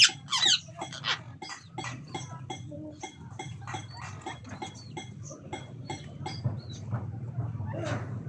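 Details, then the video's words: Red-breasted parakeet at the start of its mating and breeding season: a loud harsh screech, then a fast run of short, rasping, clicking notes about two per second, over a steady low hum. "Red breasted parakeet mating time. ကျေးကုလားမ သားပေါက်ရာသီ စတင်ခြင်း"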